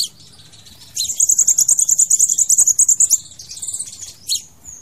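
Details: Crimson sunbird song for luring or trapping birds: after a quiet start, a sustained rapid trill of very high ticking notes lasting about two seconds, then softer twittering and one sharp chip.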